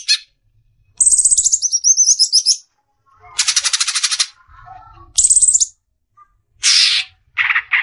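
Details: Greater green leafbird masteran song, besetan style: varied short phrases including a high descending whistled twitter, a dense rasping burst, a slurred high note and short harsh bursts, separated by brief silences.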